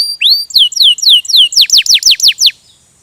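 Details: Rolling canary song made of clear whistled notes, first rising then downslurred, repeated about four times a second before ending abruptly.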